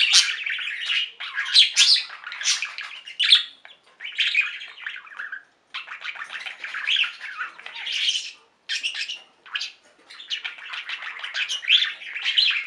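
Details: Pet budgerigars in a singing flock, producing bursts of harsh squawky chatter and chirps separated by short silent gaps, the phrases coming in uneven clusters.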